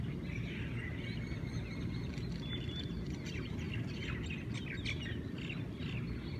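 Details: Hawaiian birds greeting the morning in Hawaii: a thin sustained whistle, then clusters of quick sharp chips and twitters against a steady low rumble.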